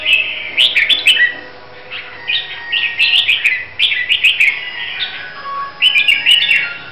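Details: Hue-type red-whiskered bulbul from Vietnam, trained for a singing contest, gives short sweet whistled phrases, each a cluster of fast slurred notes, repeated with brief pauses between.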